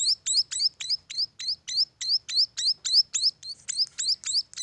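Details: Munia chicks repeat high, sharp chirps, each with a quick rising flick, at a brisk steady rhythm of about three to four per second.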